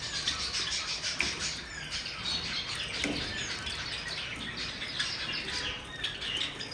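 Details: Many Java sparrows call at once while bathing, a loud, continuous chatter of high chirps and squeaky tweets, with fluttering wings and splashing water audible underneath.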